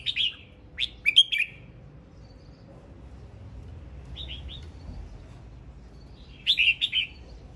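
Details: Singing male red-whiskered bulbul gives lively chirped phrases at the start, a brief two-note pair in the middle, then another bright warbling burst after a pause with faint background hiss.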